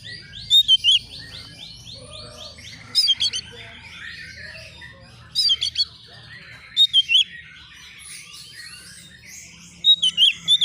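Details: Young Oriental magpie-robin, a newly kept bird, answering a rival in agitation: loud clipped whistled notes in tight bursts of three to five, repeated every two to three seconds, over a soft continuous series of rising sweeps.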